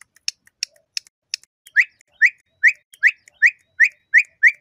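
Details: Campo troupial (corrupião) in Brazil, whistled song style: sharp clicking ticks, then eight rising whistled notes repeated about every half second.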